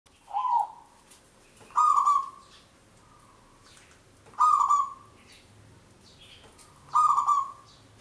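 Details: Local zebra dove singing a long lure song: rich cooing phrases near the same pitch, each starting with a burst of harmonics, repeated about every two and a half seconds, with faint chirps from other birds behind.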